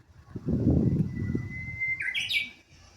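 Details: Japanese bush warbler singing at Kashiwanoha Park in May 2025: a long, steady whistled note climbs into a quick, bright flourish. Loud low rumbling masks the first half.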